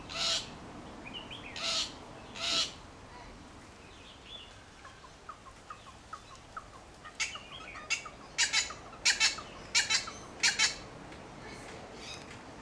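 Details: Wattlebirds calling to drive a Kookaburra out of a backyard, their nest about two metres away: harsh, broadband squawks in short bursts, three early then a rapid cluster of loud barks later, with softer chatter between.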